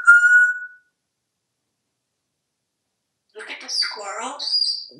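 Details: Pet African grey parrot hatched in 1997, kept at home in Texas, during a live stream: a clear steady whistled note, then a pause and a burst of chattering, speech-like sounds.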